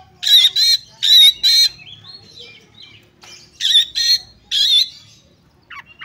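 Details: Female Oriental magpie-robin calling to a male, used to excite other males: loud harsh rasping bursts, two pairs then a later pair and a single, separated by quieter soft whistled notes.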